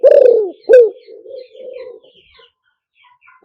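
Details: Spotted dove lure call played through a loudspeaker: a loud, low, slightly falling coo, then a second short coo, then softer purring notes trailing off, with one more loud coo at the very end.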